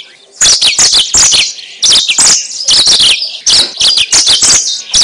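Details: Lure recording of a yellow-fronted canary: lively high-pitched song in clustered bursts of sharp chirps and rolling twitters, two main runs separated by a short pause.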